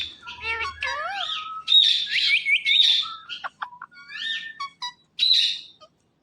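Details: Pet Indian ringneck parrot talking: dense strings of wavering whistles, warbled chirps and sliding tones in quick bursts, ending with a sharp high phrase, over quiet indoor background.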